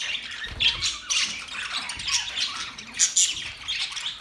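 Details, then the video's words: Budgerigars making mating sounds: bursts of harsh squawks mixed with high whistled pips and chatter, louder peaks roughly every second against a steady twittering background. "Budgies singing | Budgies mating sounds | Budgies chirping sounds"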